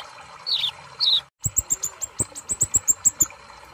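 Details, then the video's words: Sunbird singing: two high squeaky notes, a brief pause, then a fast string of about thirteen sharp, high ticking chirps with soft low knocks beneath. "Terapi Kolibri ninja Malas Bunyi"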